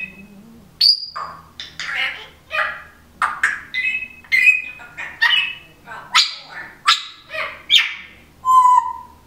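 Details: Indoors, a pet female Timneh African grey parrot chatters in rapid repeated bursts of speech-like squawks roughly once a second, closing on a pure whistled note, with a low snoring hum beneath.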